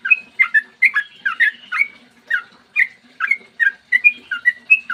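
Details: Yellow-vented bulbul in morning 'ropel panjang' song, played to provoke other bulbuls into singing. Bubbling clusters of bright whistles, some doubled, then single slurred notes after a short gap.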